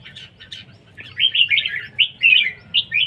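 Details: Red-whiskered bulbul in competition singing: after a few brief chirps, a run of rich warbled phrases, rising and falling, strings through the second half with short gaps between notes.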